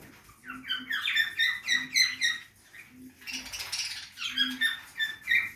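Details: Budgerigars feeding in a backyard aviary: busy, continuous warbling of quick chirps and squeaky trills, rising and falling in short pulses, with a faint low hum in the background.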